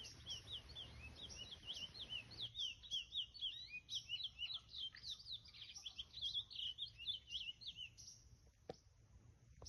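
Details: Chestnut-bellied seed finch in brown plumage singing in nature, in the style called mateirinho: a fast, continuous twittering of short sweeping notes, several per second, over ten seconds against low background rumble in the first part.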